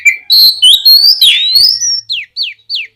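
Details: Oriental magpie-robin song meant to prompt other magpie-robins to sing: a long rising whistled phrase with buzzy overtones, followed by three evenly spaced downslurred whistles.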